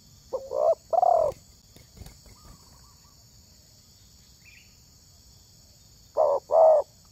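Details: Spotted dove luring other doves with paired husky coos at the start, a long quiet stretch with faint low rumble and clicks, then another pair of coos at the end.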